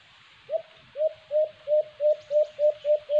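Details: White-eared brown dove, locally called alimokon, recorded during a cage-trap bird hunt: a series of nine low, hollow coos, each rising slightly then leveling, repeated about three times a second with a faint hiss behind.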